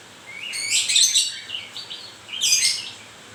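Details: A moulting white-rumped shama sings two dense bursts of bright, tangled whistles and chattering notes, separated by a short soft rising whistle.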